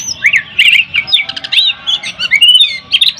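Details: Oriental magpie-robin, poci variety, gacor contest song that provokes rivals: dense, bubbling whistled phrases and brisk chatter, rising and falling, nearly unbroken over a few seconds.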